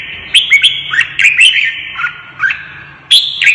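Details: Red-whiskered bulbul kept in a cage, roused to sing as if fighting, pours out quick clear whistles with upward and downward slurs, a short lower phrase midway, then a sharp high burst.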